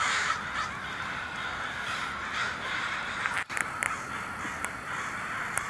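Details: Flying crows give drawn-out, rough cawing that blurs into a continuous raspy wash, followed by a brief drop-out and a few sharp clicks near the end.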